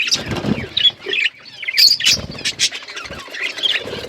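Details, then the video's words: Budgies in an outdoor aviary flock utter scattered chirps and squeaky warbled notes, with some low fluttering thumps early on. "Budgies flocks in outdoor aviary budgies colour budgies chirping sounds"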